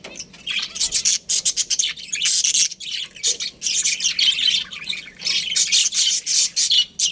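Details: Budgerigars chirping together in a colony. Steady, shrill, buzzy chatter with many short loud pulses runs through the whole stretch.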